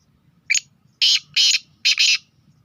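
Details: Sindhi kala teetar, or black francolin, from Sindh and Punjab, gives a short piercing note followed by three harsh, grating bursts, the final pair run together. A faint low murmur sits underneath.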